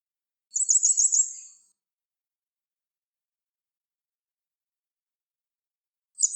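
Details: A grey wagtail sings a quick, very high, clear, sharp phrase of about six ringing notes, followed by a long silence before the next phrase begins.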